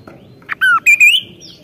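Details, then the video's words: Vigorous Kaso-kaso song phrase: short sharp note, a long descending whistle, then two bright upward-sweeping whistles, tailing into softer high tones. "BURUNG KASO KASO GACOR NEMBAK"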